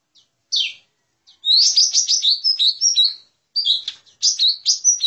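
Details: Lesser green leafbird lure call for luring birds: one downslurred whistle, then a busy two-second burst of high chirping and twittering notes, a short gap, and more sharp chirped phrases.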